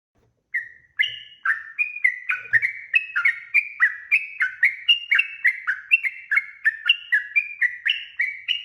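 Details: Yellow-vented bulbul in full, long rapid song, used as a lure to make other birds answer: a fast, steady run of short whistled notes, alternately rising and falling, about four per second, with no other sounds.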